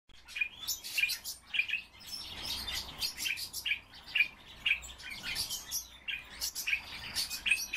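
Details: Common starling kept as a cage bird, singing a dense chattering song: rapid bursts of dry clicks and rattles with short high squeaky notes, repeating in clusters roughly every half second, with quiet low background hum.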